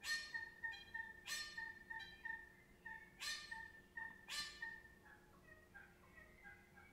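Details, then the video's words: Wild birds singing at dawn in Melbourne, Australia: loud ringing, bell-like notes in bursts about once a second, each with a sharp attack and a sustained tone, then softer whistled notes towards the end. "Melbourne, Australia Bird Song"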